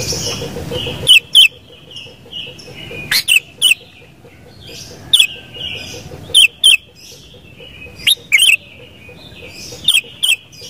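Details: Sooty-headed bulbul: loud, short whistled phrases in pairs recurring every two to three seconds, over a steady background of softer high chirps and a faint low hum.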